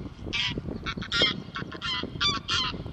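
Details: Greylag goose, the UK's largest wild goose, from Poole, Dorset: a run of loud, harsh, nasal honks in quick irregular succession, several calls overlapping as if from more than one bird.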